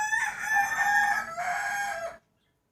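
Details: A rooster crows in the morning just before New Year 2020: one loud, sustained harmonic crow of about two seconds with a slight break midway, then silence.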